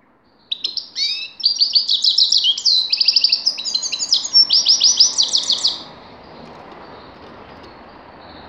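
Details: Grey-crowned goldfinch singing: a fast, busy run of bright twittering and buzzy chirps over about five seconds, then quiet background hiss.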